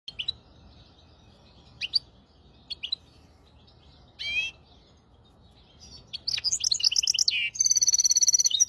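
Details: Hybrid finch song used to tutor goldfinches and canaries: scattered single high chirps with pauses, then a burst of rapid twittering, buzzy notes and a sustained high trill toward the end.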